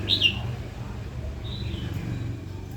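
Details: Female red-whiskered bulbul giving provoking calls aimed at stirring a wild-caught male to sing and fight; a loud, clipped high chirp at the start, then a thinner, drawn note a second later.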